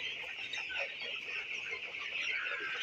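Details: Many broiler chicks being raised during winter make a constant, shrill peeping chorus, overlapping high calls merging into one steady wash of sound, with occasional softer, lower cheeps.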